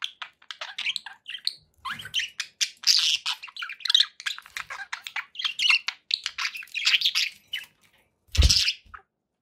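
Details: Pet budgerigars chattering: a dense, continuous stream of short, high chirps and scratchy warbled notes, with a brief louder squawk near the end.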